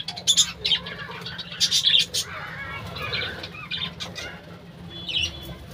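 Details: Budgerigars in a bird-house colony, giving scattered scratchy squeaks and chirps with wing flutters and a soft background rustle, calls thinning out toward the end.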